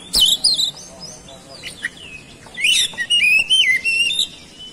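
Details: Oriental magpie-robin singing, used to provoke other magpie-robins into song: high sweet whistles and chirps at the start, then a rich warbled run of sliding, swooping whistled notes lasting nearly two seconds.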